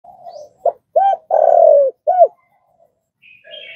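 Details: Spotted dove, played for training caged decoy doves to respond quickly: one phrase of a clipped note, two arched coos, a long sliding-down croo and a final arched coo, with soft lower murmurs before and after.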